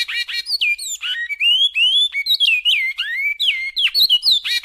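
A great-billed seed finch sings a rich, flowing run of clear whistled and slurred notes, rising and falling quickly without pause, in the classic Goiás style.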